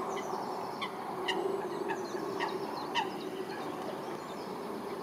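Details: Clash between Eurasian coots at Wilgenbos in Almere, with short, piercing, clipped notes spaced roughly half a second apart against constant low humming noise.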